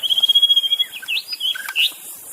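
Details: Wild white-rumped shama singing in the open, a recording used to prompt silent shamas to sing: a rapid series of about fifteen pulsed high whistles, then varied slurred, rising and falling whistled phrases.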